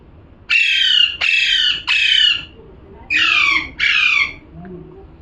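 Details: Parrot calling in a run of five loud, grating screeches, three in a row then two more after a brief break, each about half a second long.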